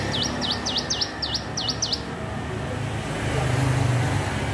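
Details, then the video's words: Hill prinia learning to sing, a rapid burst of seven V-shaped chirps within two seconds, then only background noise and a low engine drone. "ciblek gunung belajar bunyi"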